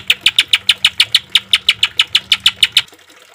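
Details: Caged-bird training recording of a green leafbird: a quick regular series of sharp high chips, about three per second, stopping abruptly near the end, with a low hum under the notes.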